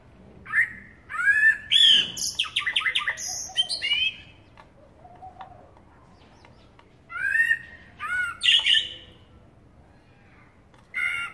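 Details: Eurasian blackbird song: a long run of mellow warbled notes mixed with chattering high squeaks, a pause, then a second fluted phrase ending in twitters, and one more short note.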